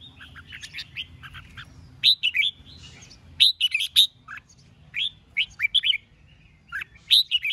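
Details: Red-whiskered bulbul in duelling song aimed at provoking rivals: loud clusters of quick, liquid, up-and-down notes repeat in bursts with short pauses, over a faint low hum.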